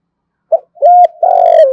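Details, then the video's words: Spotted dove coo, used to provoke wild doves to call back: a short sharp note, a smooth sustained coo, then a longer rough, pulsing coo that drops in pitch as it fades. "Tiếng chim cu gáy kích bổi rất hiệu quả hàng ngày, giọng hay bổi nghe phải gáy"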